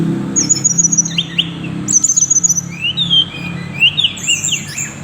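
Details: Tickell's blue flycatcher: high, clear whistled notes, with level trilled phrases mixed with short upward and downward slurs, repeated several times over a low constant hum.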